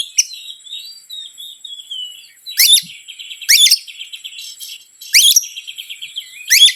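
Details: Lure song of an Oriental magpie-robin, meant to provoke rival birds: a gliding whistled opening, then four loud rasping downswept bursts about a second apart over soft chattering.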